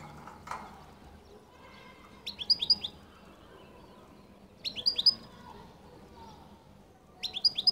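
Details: Qall-style song of a European goldfinch, delivered as three brief clusters of sharp, high, twittering notes, each cluster a quick run of falling chirps, spaced roughly two and a half seconds apart over a soft low hum.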